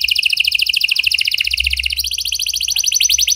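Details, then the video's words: Unbroken rapid, buzzy trill from a gacor canary singing a unique cengkok style, meant as a lure for silent canaries; the trill steps slightly higher in pitch halfway through. "Buat Kenari Macet Anda Respon Dengan Suara Pancingan Kenari Gacor Ini! Kenari Gacor Cengkok Unik"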